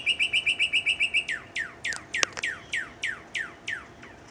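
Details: A male northern cardinal's morning song: a rapid run of about ten clear chips, then slower, loud down-slurred whistles repeated roughly every quarter second.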